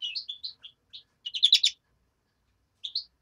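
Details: Hand-reared European greenfinch chick giving short high chirps in quick bursts, then a dense cluster of overlapping tweets, a pause, and two final chirps; quiet surroundings.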